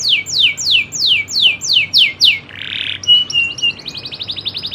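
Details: Local canary, Indonesia, in its rolling song style: a series of loud descending whistles about every third of a second, a short noisy rasp, then a fast, thin trill of stuttering notes.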